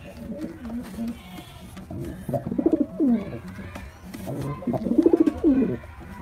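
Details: Male white pigeon performing, giving two low, rolling coos about two and a half seconds apart. Each opens with a quick stuttering burst and ends in a drawn-out falling note. Softer low cooing murmurs between them.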